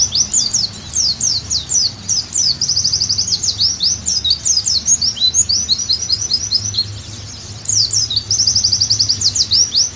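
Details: Oriental white-eye singing in long high bursts of sharp zigzag notes and rapid even trills, in a training recording meant to bring a bird back into strong song. The phrasing barely pauses throughout.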